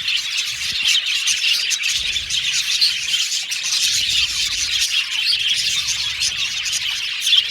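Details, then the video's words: Many budgerigars kept in an aviary colony chatter continuously, producing a bright, dense stream of chirps and warbling twitters, with a few clearer squeaky accents scattered through. "Beautiful Budgies Chirping Sound"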